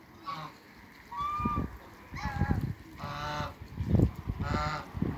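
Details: African and Toulouse geese in a backyard give a run of loud, nasal honks, several overlapping and repeated about every second, with low rumbling background noise.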